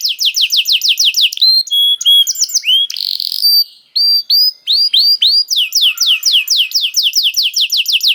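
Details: Canary in full song, played as bait so other canaries sing: rolling runs of swept whistles, a short harsh burst, sharp pauses, then fast repeated high chirps and trills. No other sounds are heard.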